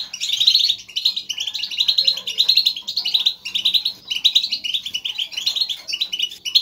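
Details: European goldfinch flock chatter meant to stimulate singing: rapid tinkling twitters grouped into bursts of about a second, separated by brief gaps, several voices overlapping.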